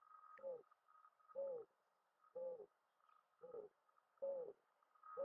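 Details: Mourning dove call: six soft, hollow, slightly descending hoots spaced about a second apart, steady and even, with a faint constant hum behind them.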